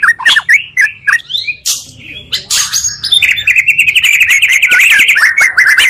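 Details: Lure of two Oriental magpie-robin voices for stirring up other birds: opening sharp whistled chips and slurred notes, then a steady fast trill of repeated warbling notes to the end.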